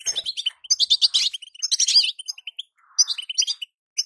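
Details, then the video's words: Calls of a female European goldfinch, meant to make a moulting male start singing. Dense, silvery twittering opens, then a softer rasp, then a run of evenly spaced short chips. "بتبته انثى لتسريع الغناء عند الحسون وهو في غيار الريش"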